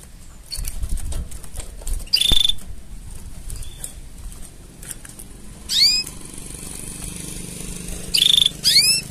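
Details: Canary mating song: a quick pulsed trill, later a pair of steep rising sweeps, then another rapid trill followed by more upward sweeps, over a murmuring low background.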